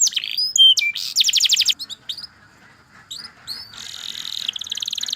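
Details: Canary song made of varied phrases: sharp slurred chirps and a quick rolling trill, a short quiet gap, then scattered chirps leading into a dense, buzzy rattle.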